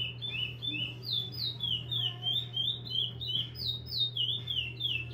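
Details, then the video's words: Repeater-style singing from a captive-bred chestnut-bellied seed finch: bright whistled notes sliding up and down in fast succession, steady and unbroken, with background mains hum. "CURIO REPETIDOR"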